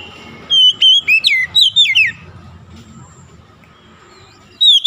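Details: Oriental magpie-robin singing, meant to bring a stressed, mute bird back into song: seven sharp whistled notes with swooping falls in quick succession, then a long lull with low background hum, and a final high whistle.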